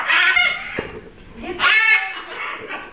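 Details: Pet macaws in a household parrot collection (scarlet, green-winged, and blue-and-gold macaws) give loud, harsh, raspy squawks in two long bursts about a second apart, followed by quieter grating calls.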